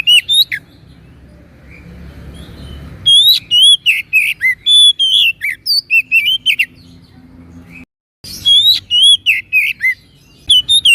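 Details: Oriental magpie-robin singing a 'masteran' recording: rich, varied whistles and sweeping slurred notes in quick bursts. A quiet, noisy stretch comes before the singing, and a short break falls in the middle before the song resumes.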